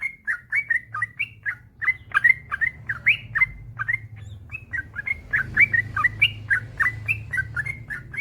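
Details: Yellow-vented bulbul in a long continuous song for prompting other bulbuls to sing; fast bubbly, warbled chirps with rising and falling slurs run without a break, over a low droning hum.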